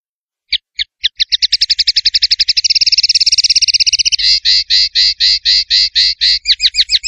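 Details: A male common linnet sings a high twittering phrase: a few spaced notes that speed into a rapid trill, then slower buzzy, chirping notes. No other sounds.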